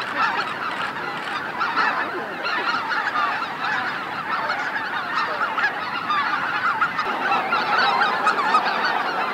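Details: A large flock of greater white-fronted geese coming in to roost at Miyajima-numa, Bibai, Hokkaido, in 2016, calls continuously in a dense overlapping chorus of high, yelping honks with no pause.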